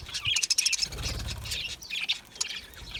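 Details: Budgies chirping: rapid high twittering notes and thin whistled squeaks from several birds, over a steady low hum and a brief rumble midway.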